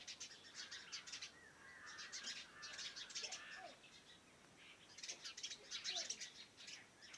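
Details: Birds calling around a farmhouse in the morning: bursts of high dense twittering alternating with quieter gaps, plus a few faint lower slurred notes.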